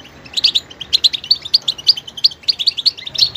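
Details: Goldfinch delivering a steady run of bright, high chirped notes repeated in quick succession, tinkling and twittering throughout.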